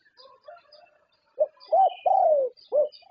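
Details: Thai competition-champion zebra dove cooing: after faint soft chirps, one clear phrase of a short note, an arched coo, a long slurred descending coo and a closing rounded coo.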